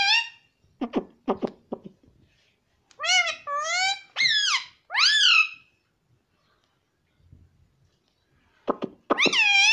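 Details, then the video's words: Pet parrot speaking the word "mummy": a few sharp clicks, then a burst of loud, nasal two-part syllables with falling tails, a quiet gap, and another harsh, wavering phrase at the end. "Talking parrot Mummy Mummy"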